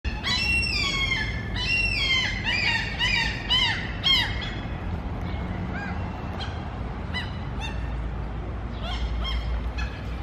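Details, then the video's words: Several Mew gulls calling at food: loud, harmonic, squealing calls tumble over one another for the first four seconds, then fade into scattered, fainter cries over steady low background rumble. "Сизые чайки кричат у корма /Mew gull"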